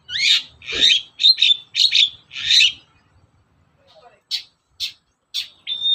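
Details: Long-tailed shrike singing in the morning, meant to provoke other shrikes: five loud buzzy, harsh notes in quick succession, a pause, then short sharp chips and a thin steady whistle.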